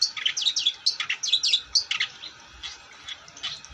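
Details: Long-tailed shrike singing actively: two seconds of rapid, loud, chattering and squeaky notes, followed by softer scattered chirps.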